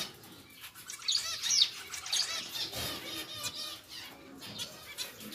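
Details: A pair of pied zebra finches in a newly moved-to, larger cage give short, nasal, high calls in scattered bursts, with a steady busy background.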